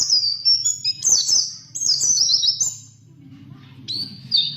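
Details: Pleci (white-eye) song for training songbirds, in lasrol, ngalas, ngerol, nembak and bukpar styles: high, thin, rapidly warbled whistled phrases in quick bursts, a short lull, then a final sliding whistle over a faint low hum.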